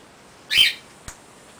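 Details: A female short-billed little corella, a caged pet using a foraging wheel toy, gives one short, harsh, high screech, followed a moment later by a single sharp click.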